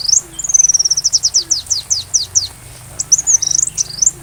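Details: Sunbird singing for use in teaching a white-rumped shama: a fast, continuous series of very high, sharp, downslurred notes, a brief break, then twittering rising and falling phrases over a faint low hum.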